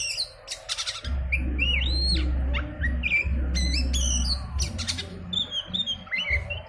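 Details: Oriental magpie-robin singing, its song used as a lure to get birds singing. Bright, slurred whistles and sharp, high chips come in varied, lively phrases over a steady low droning hum.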